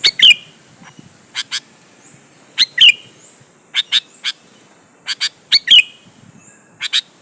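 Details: Sooty-headed bulbul singing to provoke rivals to reply: scattered single and paired sharp chirps, some groups ending in a quick downslurred note, separated by pauses of about a second.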